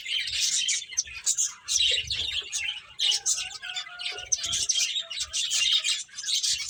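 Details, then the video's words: Several finches chirp busily at play, with a steady flood of high, sharp tweets and faint, soft, lower notes beneath them. "Cute Birds Chirping Sounds | Beautiful Finches Playing"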